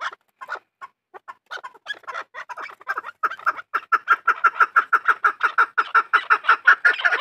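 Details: Farm-bred Chukar partridge gives scattered clucking notes that build into a steady, loud 'chuck-chuck' series, about three harsh notes a second, getting stronger toward the end.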